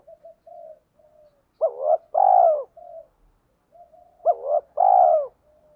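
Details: Spotted dove used as a decoy to lure wild birds. Two loud coo phrases about two and a half seconds apart, each a quick doubled rising note then a long falling hoot, with softer coos around them.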